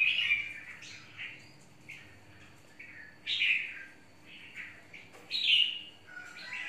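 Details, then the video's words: Caged in a long cage and described as very feisty, an untrained red-whiskered bulbul sings scattered bright warbled notes, soft at first, then two louder rising-falling phrases. "Chào mào mộc"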